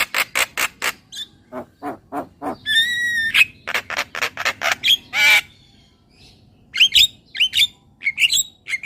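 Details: Javan myna singing, used as a therapy recording to make kept birds sing more: harsh squawks and rapid clicking notes, a brief nasal harmonic whistle, then sharp rising whistled chirps after a short pause.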